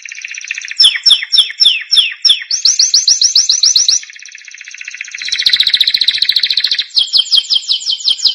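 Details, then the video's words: Canary song used to train young canaries: varied phrases of falling whistled slurs, a fast rising-note trill, a softer buzzy passage, then rapid repeated sweeping whistles. "canary singing for training"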